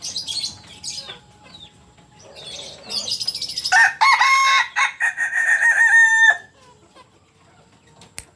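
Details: Kukuak Balenggek rooster, red biriang plumage, landiak class, from Solok, West Sumatra, gives a loud, harmonic crow of about three seconds. It breaks into several stepped segments that rise and fall before stopping abruptly, with quieter rustling beforehand.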